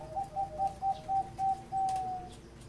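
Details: Zebra dove (Geopelia striata) singing a continuous series: a run of about seven short, soft staccato coos at a steady quick pace, ending in one longer drawn-out purring note.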